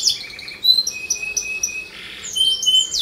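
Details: Canary song meant to lure other canaries into singing: quick sliding notes, a long flat whistle with faint ticking, a short buzzy passage, then high clear whistles and a final rising sweep.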